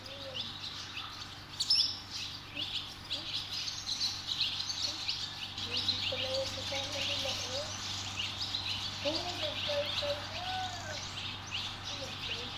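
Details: Barn swallow brood of five fledging together, helped along by young from other nests; dense high chirping chatter throughout, with lower slurred notes and a constant low hum underneath.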